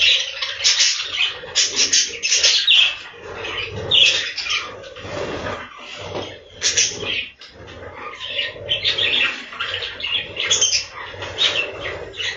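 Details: Many budgerigars in a breeding room, chattering together in a dense mix of warbled, scratchy chirps and squawks that rise and fall in loudness throughout, with a faint low hum underneath.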